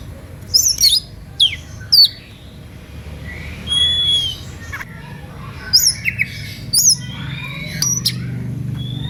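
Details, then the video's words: Oriental magpie-robin in energetic, emotional whistling song meant to provoke listening rivals into singing; scattered sharp high whistles and slurred notes with quiet gaps and a low background hum. "SUITAN KACER NGEPLAY EMOSI MEMANCING LAWAN IKUTAN BUNYI"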